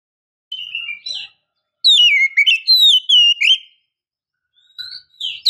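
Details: Female Oriental magpie-robin luring a male. Soft whistles open the recording, then comes a loud phrase of falling and rising slurred whistles with chatter above it, followed by quieter short notes near the end.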